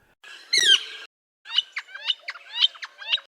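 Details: Gilded Flicker in an Arizona desert neighbourhood in spring, calling from saguaro tops or tall trees: one harsh, down-slurred keer, then a quick series of about seven bright repeated wik notes, roughly four per second.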